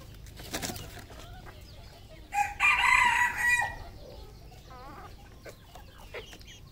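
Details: Red junglefowl on a farm in Cambodia gives one loud, harmonic crow of about a second and a half, with brief clucks and chattering calls before and after.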